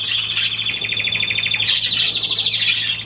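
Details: Budgerigar recorded 23 June 2023 in a continuous fast warble of ticking, trilled notes, shifting pitch slightly upward midway, with a faint low hum underneath.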